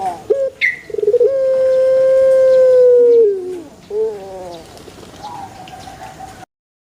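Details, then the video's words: Banana-garden recording of a puter pelung: stuttered onset, then a sustained mid-pitched tone of about two seconds that falls at the end, followed by softer wavering notes. "SUARA ASLI PUTER PELUNG Di KEBUN PISANG"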